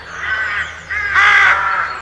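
Three harsh, hoarse caws from a rook, each drawn out about half a second, the last loudest and longest; no other sounds.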